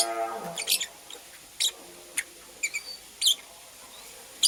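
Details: Female purple lovebird busy building a nest, uttering sparse, brief scratchy chirps spaced roughly a second apart, with a fading tonal hum at the start and a quiet background between calls.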